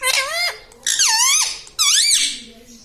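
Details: Pet talking parrot in a small room: three strained, squeaky, speech-like syllables, each sliding down then up in pitch, delivered in quick succession.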